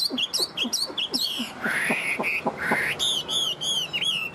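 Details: Yellow-legged, yellow-billed tame Chinese hwamei repeats quick high whistled notes with dry clicking accents, then draws out long rising whistles and a run of bright downslurred notes.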